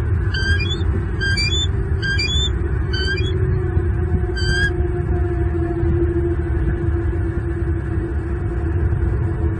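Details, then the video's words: Bald eagle male defending the nest and two young from an intruder, Southwest Florida, February morning; a quick run of five high piping squeals in the first three seconds, then only low rumbling background and a faint steady tone. "M15 chases away intruder, protects E21 and E22."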